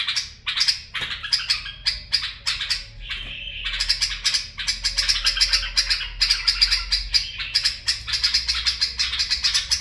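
A bulbul sings a fast, dense run of bright chattering and whistled notes, high-pitched and almost unbroken, with a brief pause near three seconds.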